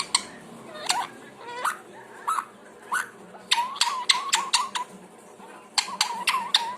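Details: Parrot producing short clipped chirps and upward-flicking whistles, scattered at first, then in a quick run of sharp repeated notes, with quiet indoor background.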